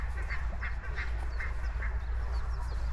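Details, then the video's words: Geese calling during a walk across open grassland: a run of five short, nasal honking notes about every 0.4 seconds, over steady low rumble from wind and footsteps, with faint high chirps from small birds. "Grassland Walk with Goose Sounds"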